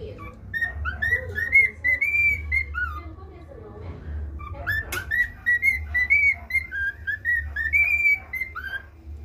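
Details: Male pet cockatiel practising the national anthem it is being taught, giving a long string of pure whistled notes, many sliding up then down, in quick phrases over a steady low household hum.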